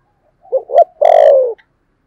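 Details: Loud, close 'thổ' voiced decoy spotted dove, used to lure other birds. A stuttered double note is followed by a full, slowly descending coo with strong overtones.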